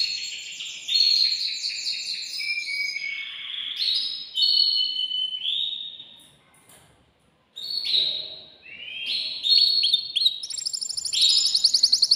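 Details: Male canary in a cage singing to stimulate a female to mate; bursts of rapid trills and whistled glides separated by a brief pause, ending in a high fast chatter.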